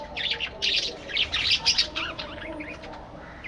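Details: Budgerigars in an aviary colony chattering: a dense stream of high, warbling chirps and squawky notes, several per second, rising and falling quickly, with overlapping birds and a faint low background hum.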